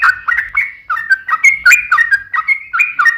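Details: Yellow-vented bulbul singing in the energetic 'gacor' manner as a lure for other bulbuls: short liquid phrases of rolling, bouncing notes, about seven quick bursts in three seconds.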